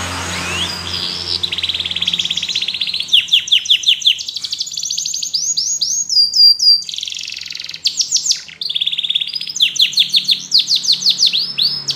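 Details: A yellow canary sings a varied high series: soft trills, then loud rolling bursts and steep descending sweeps. Short pauses separate the phrases.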